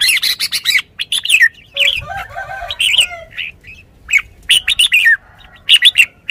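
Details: Red-whiskered bulbul kept in a cage as a decoy bird, giving lively whistled chirps in fast groups. A softer, lower warbling passage comes midway, then the bright bursts resume.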